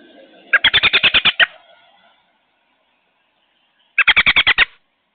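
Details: Loud American robin calls from a nest with young, captured May 22 on an outdoor solar security camera: two quick bursts of seven to eight harsh, clipped notes each, separated by about two and a half seconds of quiet.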